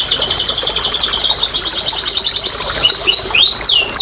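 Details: Canary song used to encourage non-singing canaries, a brisk steady trill of even chips followed by scattered rising and falling whistled slurs.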